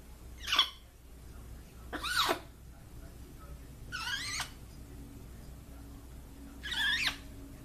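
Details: Well-trained pet blue-and-gold macaw greeting, said to say "what's up" and "hello" and to imitate crying; four strained, wavering vocal bursts, some sliding downward, separated by quiet gaps.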